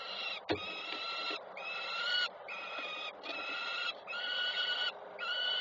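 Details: Peregrine falcon at a nest in Koszalin, Poland, 3 June 2024, as the female arrives and a chick is fed by its mother; loud harmonic wailing calls, each about a second long, repeated with short gaps, and one sharp click near the start.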